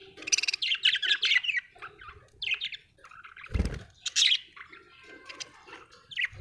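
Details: Australian budgerigar chirping in quick squeaky runs and short twitters, with a dull low thump partway through and softer scattered notes afterward.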